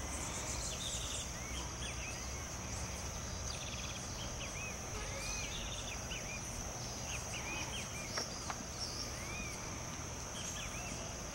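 Pale-breasted thrush singing quick, clear whistled notes that arch up and down in a busy stream, over a steady high insect drone and low background rumble.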